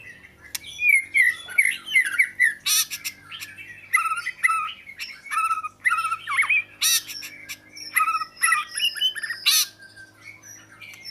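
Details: Oriental magpie-robin singing a rich, varied run of whistled phrases mixed with harsh squawky notes and sharp bursts, phrases tumbling quickly one after another over a faint low hum throughout.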